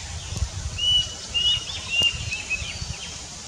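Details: Plaintive cuckoo, a low-elevation species, singing in summer: a run of four clear, thin whistled notes at a similar high pitch, about half a second apart, over faint chirps of other birds and a low background rumble.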